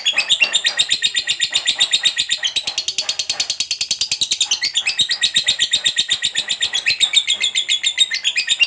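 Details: Ngekek from a fighter lovebird, meant to stimulate other lovebirds into song; a very fast, unbroken high trill of about four pulses per second, briefly climbing higher in the middle before settling.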